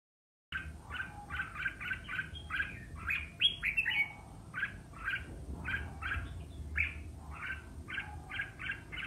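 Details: Competitive song of the red-whiskered bulbul, meant to rouse other birds into duelling: after half a second of silence, fast repeated warbled notes come in dense runs, with a few higher whistled slurs.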